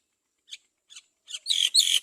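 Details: Great myna chick begging as its mother feeds it carefully: a few brief soft chirps spaced apart, then loud, harsh, raspy hissing bursts crowding together in the final half-second.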